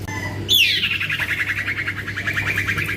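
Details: Young male common iora, locally called cipoh or sirtu, described as very vocal: a sharp high whistle sweeping downward runs into a long rapid buzzy trill that slowly falls over more than two seconds, with a steady low hum beneath.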